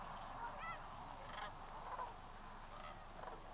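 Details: Lesser Sandhill Cranes at Bosque del Apache in 2009 give rolling, trumpeting bugles, several overlapping at irregular intervals, over the steady murmur of a large flock.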